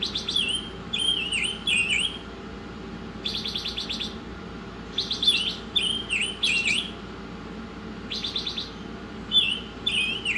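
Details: Masteran song by an Oriental magpie-robin: downward-swooping whistles and repeated harsh rattling bursts, delivered in spaced clusters across the recording, with a soft low hum.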